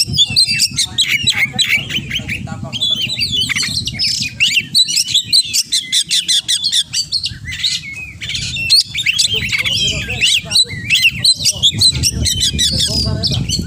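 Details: Oriental magpie-robin in full 'gacor' song stuffed with 'isian' phrases: long dense run of rapid chips, trills and whistled slides, in rhythmic bursts, over a continuous low humming background.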